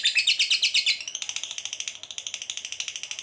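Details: Long 'ngekek panjang' trill of a fighter lovebird, kept to lure other lovebirds into singing: loud, high chattering notes in quick succession, fading slightly after the first second into a thinner, evenly pulsed rattle.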